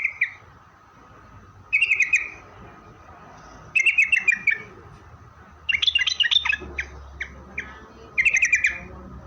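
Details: Sooty-headed bulbul song played as a lure to make wild bulbuls answer: short bright phrases about every two seconds, each a brief chirpy warble, with quiet gaps and faint low background rumble.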